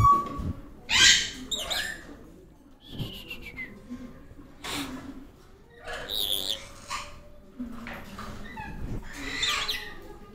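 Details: A tame yellow-streaked lory indoors gives harsh, raspy screeches in short bursts, roughly one every second or two, with quieter chatter and faint household sounds between.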